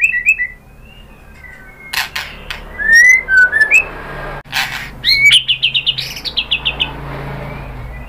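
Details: Singing white-rumped shama, played to stimulate another bird: soft descending whistles, loud swooping phrases, then a fast run of about ten repeated high notes, interrupted by sharp knocking sounds.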